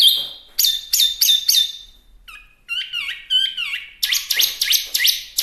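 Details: Chinese hwamei, called wambi mini locally, singing: clear whistled notes near high pitch, then slurred downward-bending phrases and a run of rapid buzzy repeated notes, with brief pauses between bursts.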